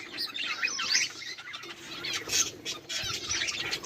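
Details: Budgerigars recorded on 18 July 2023 keep up a lively warbling chatter, overlapping chirps and short squeaky notes running without pause.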